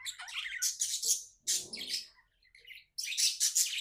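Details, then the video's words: Happy pet budgerigar chirping: short bursts of harsh, scratchy high chirps and squawky notes, separated by a quieter low grumbling phrase and a brief pause. "Happy budgie chirping sounds"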